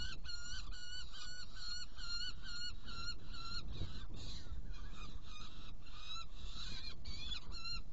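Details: Hungarian Saker falcon at a prey delivery, feeding two young, June 2018: evenly spaced harsh calls for about three seconds, then a more broken, mixed stretch of rasping notes, all over heavy low rumble.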